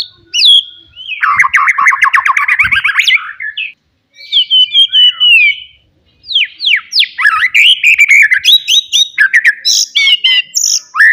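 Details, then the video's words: Loud forest white-rumped shama song used to rile rival birds, a fast run of rattling trills, swooping whistled notes and high sharp chips, broken by short silent gaps. "KICAUAN ASLI MURAI BATU HUTAN. MEMANCING EMOSI LAWAN"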